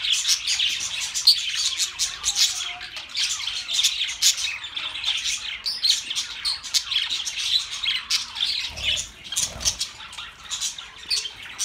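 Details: Long run of budgerigar chatter: rapid twittering chirps, raspy squawks and warbled notes overlapping continuously, with a couple of soft low thuds near the end.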